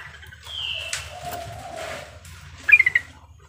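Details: Female sooty-headed bulbul calling to the male with a high level whistle and a lower drawn tone, followed by a rapid run of four or five short bright chirps, over a low hum.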